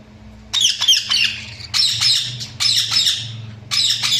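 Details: Budgerigars chirping in loud, harsh, buzzy bursts of chatter with scratchy warbles, four bursts separated by short pauses, over a faint low hum.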